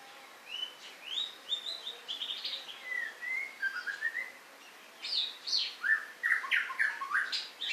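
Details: White-rumped shama singing a varied, rich whistled song: rising and falling slurred phrases, some descending runs, then a burst of quick, sharper notes after a short pause; no other clear sounds.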